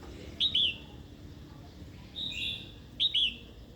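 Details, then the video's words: Female red-whiskered bulbul calling to provoke a wild-caught male into singing and fighting: three bright, sharp paired notes, each slurring downward, spaced about a second apart, over a quiet background. "Chào mào hót tiếng mái kích bổi"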